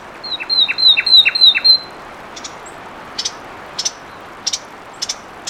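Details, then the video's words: Fulvous wren song: a quick run of five bright, sharp notes, each with a downward slur, delivered in about one and a half seconds, then separate dry, high ticks. "Fulvous Wren Sound"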